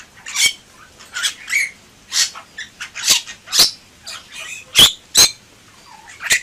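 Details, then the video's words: Bali myna singing vigorously in gacor style, a loud mix of raspy squawks, clicks and short whistled slurs spaced irregularly, with a soft low squeak between phrases. "Suara Burung Jalak Bali Gacor"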